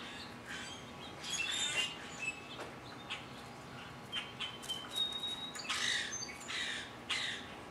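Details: Common grackle at a birdfeeder giving harsh, squeaky, broadband calls in irregular bursts, with a few thin higher chirps mixed in.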